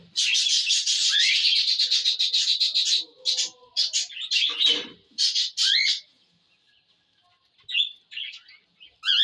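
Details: Pet cockatiels: a dense burst of harsh, high chattering for about three seconds, then shorter scratchy notes and squeaky rising calls broken by brief pauses.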